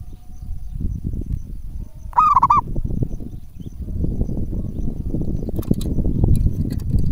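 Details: Local zebra dove in lively voice, kept as a lure for other doves, utters one brief quavering, rippling coo amid constant low background rumble and faint clicks.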